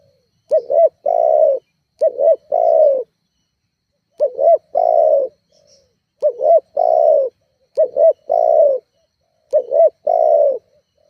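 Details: Spotted dove calling steadily as a rival-provoking lure: about seven phrases, each a brief double-humped note then a long level coo, repeated roughly every second and a half with one short pause.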